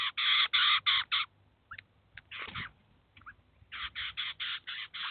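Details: Eurasian jay and chicks visiting a cheese feeder in the city of Kaluga, the adult feeding and teaching the young; a fast series of rasping screeches opens and closes the clip, with a quieter stretch of faint notes between.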